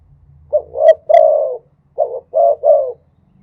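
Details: Spotted dove singing in the khat and nun song styles: deep, soft cooing notes run into a longer rolling phrase, then three separate rounded coos after a short pause, over a faint low hum.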